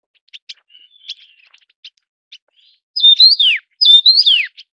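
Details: Taiwan yuhina, a bird endemic to Taiwan found in low, middle and high mountains: faint scattered chips, then two loud whistled phrases, each a quick rising-and-falling warble ending in a sharp downslur, about a second apart.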